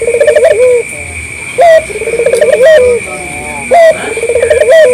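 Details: Eager local puter, the collared dove, used as a calling lure for other doves. Stuttering pulsed runs, each ending in a falling coo, alternate with short sharp hooked notes, repeating roughly every two seconds over a constant high electronic tone.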